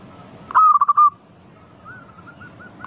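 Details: Local zebra dove song used as a lure. One loud, quick phrase of about five bubbling coos is followed by faint, evenly spaced soft notes.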